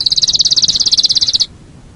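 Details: Canary singing on a master recording for training songbirds. A rapid, even, high-pitched trill of about twenty-five pulses lasts roughly one and a half seconds, then stops abruptly into quiet.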